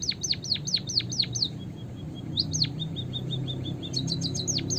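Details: Tree sparrow lure recording for trapping: quick succession of loud down-slurred whistles, then a string of soft short high notes, a few more falling whistles, and a thin rapid trill at the close.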